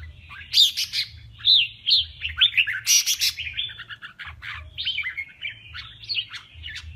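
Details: Male red-whiskered bulbul in contest singing, delivering a dense run of lively, warbling whistled phrases. The notes jump and twist quickly, with a few loud harsh chirps among them, over a faint low hum.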